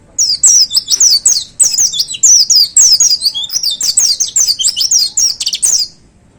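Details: Caged white-eye (pleci) on its hanging perch, singing actively in the prized 'tembakan' (shooting) style: fast bursts of sharp, very high twittering chirps and trills, phrase after phrase for about six seconds before falling silent, over a quiet background.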